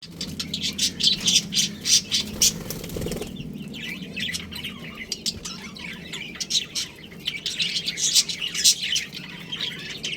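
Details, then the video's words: Budgerigar colony with a breeding pair, kept as pets: dense bursts of sharp, high chirps and warbling chatter from several birds, overlapping and irregular, with a brief low rumble near the start. "Adorable Budgies Chirping Sounds"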